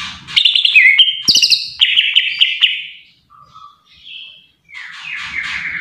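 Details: Greater green leafbird in full song, pouring out mixed whistled and chattering phrases with sudden pitch jumps, a short sharp click, a quiet gap with soft low whistles, then a buzzy descending chatter.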